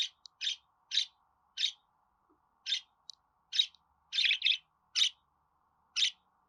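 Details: Pet budgerigar repeating short, high chirps about every half second, some doubled into rapid pairs, with a soft electrical hum underneath.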